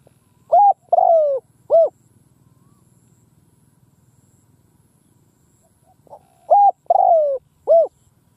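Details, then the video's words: Decoy spotted dove cooing in the field to lure wild doves: a three-note phrase of short flat coo, long descending coo and short arched coo, given twice about six seconds apart, with a soft low hum between. "Tiếng cu mồi đất gù gáy vang dội cánh đồng / Cu mồi đất gù phóng - Gáy chiêu Bổi giữa cánh đồng"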